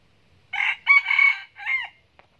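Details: Red junglefowl (Gallus gallus) decoy rooster, a frequent crower, in Bù Đăng, Bình Phước, Vietnam, gives one short, hoarse crow in three quick bursts, the last clipped and rising. A faint click follows.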